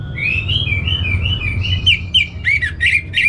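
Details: Caged Orange-headed thrush from North Bali, Indonesia, singing a string of smooth, slurred whistles that turn into rapid, emphatic chopped notes, about three per second toward the end, over low background rumble.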